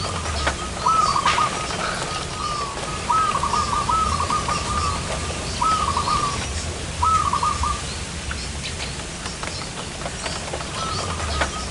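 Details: Zebra dove calling while being lured for trapping in front of a house; five short, rapid stuttering coo phrases, each under a second, spaced irregularly over a steady background hiss.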